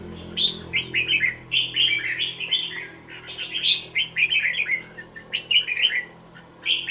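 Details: Young caged red-whiskered bulbul, two months old, kept in a bổi cage, singing a steady run of short warbled, chirpy phrases, one after another with brief gaps, over a faint low background hum.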